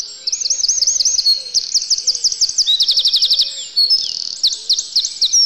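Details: Eurasian wren wintering in a yard, singing a loud, high, rapid song: looping whistled phrases that run into a fast even trill near the middle, then more rolling notes, with a faint low note repeated underneath.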